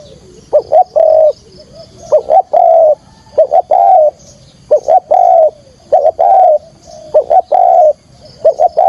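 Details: Decoy spotted dove luring wild doves for trapping, calling insistently: rapid pairs of short notes, each followed by a long rounded coo, repeated roughly every second and a half, with a faint high hiss behind.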